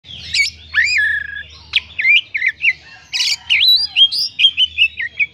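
An Oriental magpie-robin sings a lively run of clear whistles, slurred rising notes and scratchy chirps.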